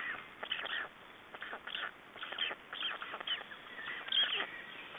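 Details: Estonian black stork nest on 3 June 2011, during exchange and feeding; quieter hoarse, wheezy bursts come in a loose series, each under half a second.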